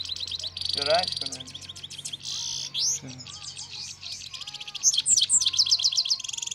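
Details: European goldfinch song from trained birds at pairing time. Quick, varied chirps and trills mix with harsh buzzy bursts and upward slurs, with a soft steady tone and low hum underneath.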